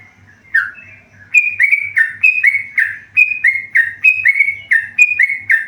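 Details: Tame yellow-vented bulbul beginning with a soft low note, then launching into a chain of clear whistled notes that step up and down alternately at a brisk pace.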